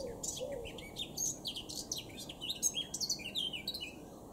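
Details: Eurasian blackcap in song, Cambridgeshire, UK, 26 June 2016: a fast, rich run of high warbled and whistled notes, sweeping up and down, continuous for over four seconds with a steady faint background hiss.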